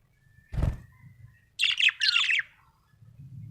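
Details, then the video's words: Happy budgerigar: a dull knock, then two quick bursts of high, warbled chirps with a falling slurred note at the end, followed by faint low background hum. "Happy budgie chirping sound"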